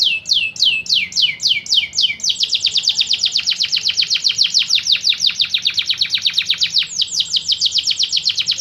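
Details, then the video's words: Canary song offered as a tutor recording for training other birds: a few sweeping downward whistles, then a long fast rolling trill of repeated high buzzy notes, about four per second, with a brief change of phrase near the end. "Suara burung kenari"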